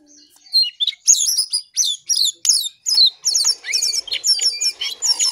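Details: Lesser shortwing delivering a lively, fast song: a steady run of bright, high slurred whistles repeated several times a second, forming an even, rhythmic stream of chirping phrases.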